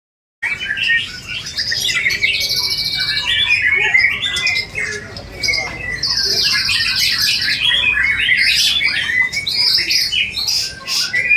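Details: White-rumped shama in full song, a dense, varied run of loud whistles, rapid trills and buzzy rattles packed closely together with barely a pause, high and bright throughout.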